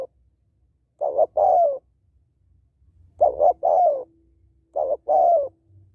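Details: Calling female spotted dove, used to stimulate males: three mellow coo phrases, each a couple of brief stuttering notes leading into a longer, gently falling hoot, with faint low background rumble.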